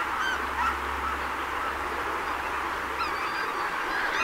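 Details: A small flock of greater white-fronted geese (Anser albifrons), rare winter visitors, at Donggang on 19 December 2021, call in a steady chorus of high, yelping, laughing honks, with a faint low rumble underneath.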